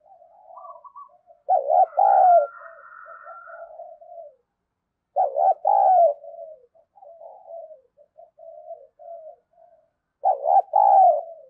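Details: Spotted dove decoy bird calling to provoke fighting. It repeats loud, deep, two-part coos about every four seconds, with quiet, stuttering low notes in between. A faint steady whistle-like tone overlaps the first phrase.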